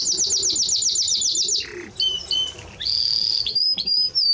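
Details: Timbrado Español canary song: a rapid even pulsed trill for about a second and a half, short whistled notes, then a sustained bright high whistle with slight pitch steps.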